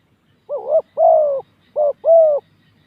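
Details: Spotted dove used to lure birds on open ground. Two cooing phrases, each a warbled, rising-falling coo and then a drawn-out, level hoot, about one second apart, with a soft low rumble behind.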